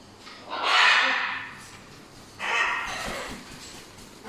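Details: Two macaws, a Buffon's and a Catalina, kept as pets indoors. Two loud, harsh, drawn-out squawks sound about two seconds apart in a small room.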